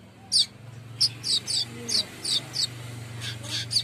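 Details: Lure recording of a golden-headed weaver meant to get birds singing: about a dozen sharp, high, clipped chirps, spaced roughly every third of a second. A constant low mechanical hum is heard throughout.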